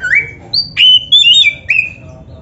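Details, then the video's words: Oriental magpie-robin, black-breasted form, played to prompt caged birds to sing: clear whistled notes between mid and high pitch, a rising slur then several sliding and steady whistles over about two seconds, faint low hum beneath. "STEL SUARA INI‼️BIAR KACERMU MAKIN GACOR | Sekali Dengar Langsung GOCOR❗- Masteran Kacer"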